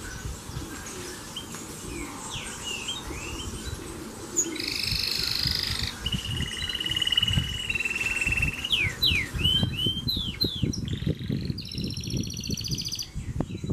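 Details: Yellow Reino domestic canary singing a great deal: rolling buzzy trills, steady rattling tours and quick sweeping whistles follow one another without pause, over a constant low rumbling background noise.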